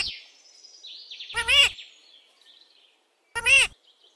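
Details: Pet parrot calling out, said to be asking mummy for roti: two short harsh squawks with rich stacked harmonics about two seconds apart, after faint high whistly sounds and soft background noise.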